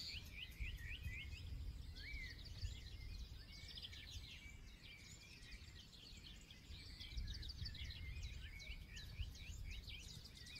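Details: Several forest birds sing together, with bursts of fast chirping trills and short whistled notes that come and go throughout, layered over a continuous low-pitched rumble.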